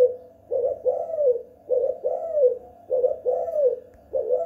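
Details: Spotted dove at home delivering a two-kuk hanging guk lure call: paired notes, a clipped coo then a longer arching descending one, repeated roughly each second with short silences.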